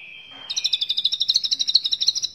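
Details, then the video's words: White-rumped shama singing for training other songbirds: a steady whistle breaks into a fast, even trill of high chips, about eight per second. "Muray Batu Gacor Full Masteran Isian Banyak"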